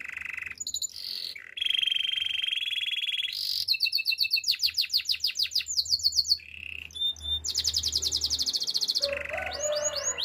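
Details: Spanish timbrado canary song used for training, moving through separate tours: steady high buzzy rolls, a fast pulsed trill of clicking notes, bright metallic trills near the top of the range, and closing down-slurred whistles.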